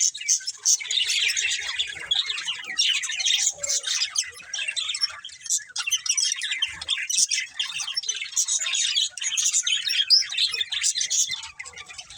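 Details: A flock of pet budgies warbles and twitters at length, rapid grating chirps and whistled squeaks overlapping in a continuous lively chorus with brief dips.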